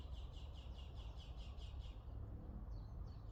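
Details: Backyard garden birdsong on a pleasant morning: a rapid run of thin, high repeated notes that fades partway, then a few softer high chirps, all set against constant low background hum.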